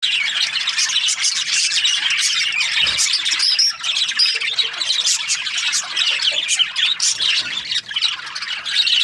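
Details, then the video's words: Several Australian budgies chattering together in a dense, unbroken stream of high chirps, warbles and short squawks, with no pause across the whole stretch. "Australian budgies chirping sound"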